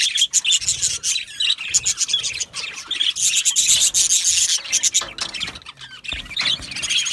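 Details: Many budgerigars in an aviary colony chatter at once: scratchy, raspy high chirps and warbles packed tightly, swelling and easing in waves over several seconds.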